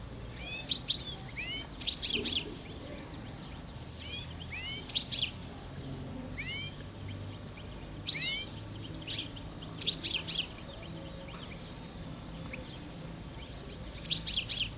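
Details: A kept European goldfinch of the parva subspecies, five years old, singing in mating season: repeated phrases of high rising slurred notes followed by rapid tinkling chatter, recurring every second or two with pauses between.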